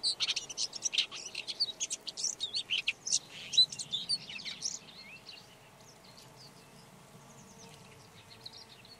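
Red-backed shrike gives a rapid, scratchy, chattering warble of high notes for about four seconds, then fades to a few faint squeaks against a quiet outdoor background.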